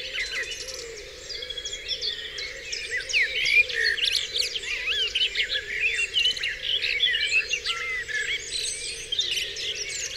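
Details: Dawn on Dewlands Common brings a chorus of many birds, with quick rhythmic chirps, trills and swooping whistles, quieter at first then growing denser.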